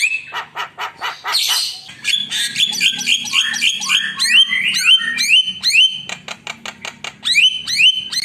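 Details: Lively Javan myna song used as a lure to rile up rival birds: loud, rapid run of sharp clicks, rasping squawks and upslurred whistles repeated quickly, with a faint low hum underneath.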